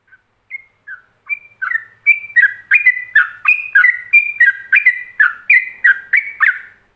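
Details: A yellow-vented bulbul's ropelan master song, used for training other bulbuls: a few spaced whistles open it, then a rapid run of loud chirping notes rises and falls at about three per second.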